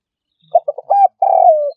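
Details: Spotted dove calling in a recording used as a trapping lure: three quick clipped notes, then a long, smooth coo sliding slightly downward; clean, with no background sounds.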